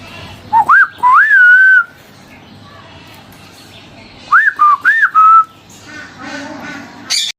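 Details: Common hill myna kept near people who talk to it and greet it. It gives clear whistled notes that swoop up and down, in two groups several seconds apart. Faint voices and room noise sit between the groups.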